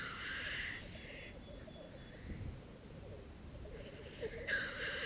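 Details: Black grouse males at a lek, courting and fighting to win a female: loud breathy hissing calls open and close the clip, with softer bubbling murmurs between them.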